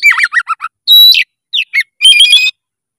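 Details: Oriental magpie-robin singing vigorously and emotionally: a run of quick descending chirps, a loud sustained whistle, two short slurred notes, then a rich rattling warble.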